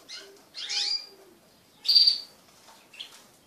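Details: Pet crested canaries during mating: three separate bursts, a descending chirped phrase, a sharp bright note, then a faint short chirp, with quiet between.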